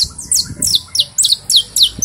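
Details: A saffron finch (Sicalis flaveola) sings while held in the hand, a quick run of sharp, high chips, each dropping in pitch, about three to four a second.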